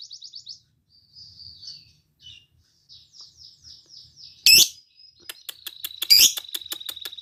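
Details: Lovebird song meant to prompt others to sing: soft scattered chirps and short trills, then two loud sharp squeaks among fast high ticking notes.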